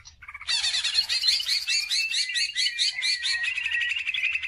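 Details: Greater green leafbird in full song, played as a lure for training other birds: after a brief soft start, a sustained rapid chatter of rich slurred notes and whistles, repeated about twice a second.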